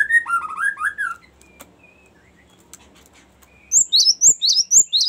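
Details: Another bird's descending warbled phrase opens, then after a quiet stretch a Cinereous tit breaks into its high, repeated whistled 'ngerol' rolling song, used as a lure and master song.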